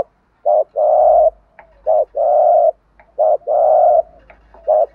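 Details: Spotted doves, male and female, cooing to prompt a trained bird: a short coo followed by a long steady hollow note, repeated rhythmically about four times over a faint low hum.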